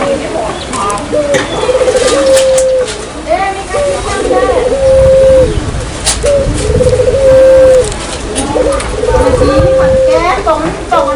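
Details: Barbary dove lure call in rhythmic phrases: a short rolling trill leads into a long, flat, even coo, the pattern repeating about every two and a half seconds, with background noise and faint clicks.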